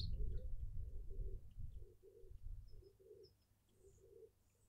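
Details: In a suburban garden in Pretoria, South Africa, a Burchell's coucal gives a low, hollow bubbling series of hoots, paired and about four per second, fading toward the end over a deep wind rumble.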